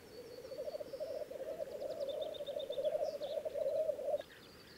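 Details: A black grouse lek in Läänemaa, Estonia, 19 April 2011: a loud, swelling low bubbling rookoo rolls on for four seconds and stops abruptly, with faint high chirps of other birds behind.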